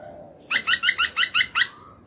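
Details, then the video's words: Captive laughingthrush giving seven buzzy, harsh repeated notes at an even quick pace, over faint background hiss. "Khướu hót cực hay, kích bổi hót ngay"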